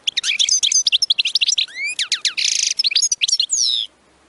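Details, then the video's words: European goldfinch batbata song, meant to stimulate goldfinches to sing nonstop: continuous fast twittering with rising slurred whistles, a harsh buzzy trill in the middle and a descending sweep near the end, stopping abruptly. "بتبتة نااار يا حبييبي ناااار لتهييج الحسون ستجعله يغرد من دووون انقطا"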